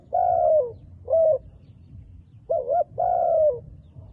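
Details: Dark-feathered wild dove cooing clearly and close: a long descending coo, a short note, a pause, then a quick double note and another long falling coo, with quiet low background rumble.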